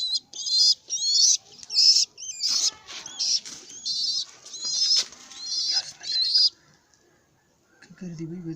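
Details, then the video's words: Baby pigeon walking around and calling: a run of wheezy, hissing high squeals in bursts of about half a second, repeated rapidly for six seconds, then quiet with a faint low murmur at the end. "Baby pigeon Walking Around and making Sound"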